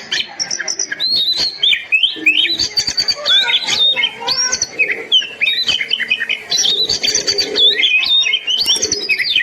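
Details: Oriental magpie-robin singing continuously, as a training recording for caged birds: varied sweet whistles, upward and downward slurs and scratchy rattles in irregular bursts, loud and close throughout.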